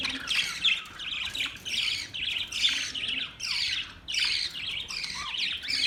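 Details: Budgerigars keep up a steady, squawky high chatter of rapid chirps and rasping notes, barely pausing, with a faint low hum beneath.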